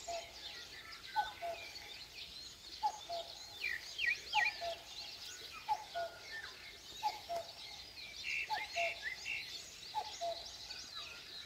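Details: Common cuckoo at dawn in the Korean countryside, giving its two-note falling cuck-oo roughly every one and a half seconds, seven times, while other birds add high, sharp downslurred chirps and a steady rural hiss underneath.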